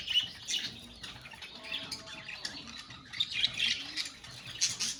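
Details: A colony of budgies chattering, many birds at once: scattered high chirps and short squawks over a steady murmur, with brief louder peaks near the start and end.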